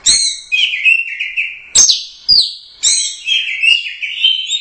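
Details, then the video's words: Orange-headed thrush, a first-place Royal Cup competition bird, singing gacor with teler doyong swaying. Repeated short phrases of clear, level whistles and quick slurred notes, each opened by a sharp click, coming roughly every second. "Suara Burung Anis Merah | GACOR Teler Doyong Juara I Royal Cup"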